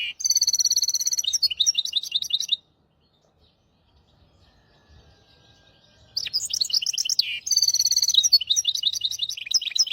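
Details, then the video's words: Hybrid finch song used to train goldfinches and canaries, made of two bursts of quick, high twittering trills and sweeping chirps separated by a silent pause of about three and a half seconds. "تغريد رهيب طائر الهجين ميسترو حفاضة ويداني لتعليم طيور الحسون والكناري"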